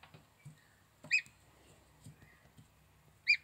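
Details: Healthy, cute and plump young gosling giving short, high, clear peeps, one at a time with pauses of about a second between them, the middle peep softer, over a quiet background with faint low rumble.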